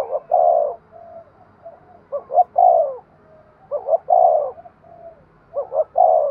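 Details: Cooing of a spotted dove meant to stimulate other doves: four quick-paced phrases of clipped lead-in notes and a long throaty coo, over a steady low rumbling background hum.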